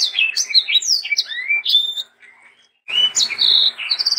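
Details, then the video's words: Sanger singing actively for young birds to learn from: a quick run of bright whistled notes, a near-silent gap, then more whistles and a short ringing trill. "BURUNG sanger gacor untuk masteran dan pancingan sanger muda"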